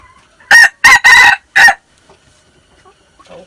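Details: Six-month-old red junglefowl crowing, recorded 13 March 2019: one loud, close crow of four harsh, rasping bursts over about a second and a half, the third drawn out longest, followed by faint background chirps.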